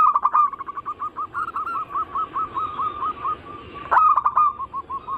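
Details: Zebra dove song from a lure recording that mixes anggungan, local, Bangkok and crossing styles. It is meant to prompt other zebra doves to sing. Mid-pitched cooing notes repeat quickly in a long rolling trill, with a loud burst of stacked notes near the end.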